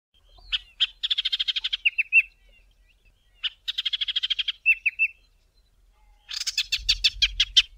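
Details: A Chestnut-vented Warbler in the southern Karoo sings high, bright phrases: a quick chattering trill into a few slurred whistles, repeated twice, then a harsher burst of notes.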